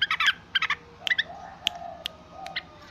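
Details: Noisy yellow-vented bulbul calling in a few short bubbly bursts at the start, followed by scattered single sharp chips with quiet gaps between them.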